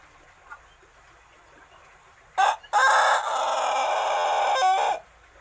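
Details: Adolescent Pelung cockerel of roughly six months, still learning to crow, gives a clipped first syllable followed by a drawn-out, steady crow of over two seconds that ends suddenly; quiet background otherwise.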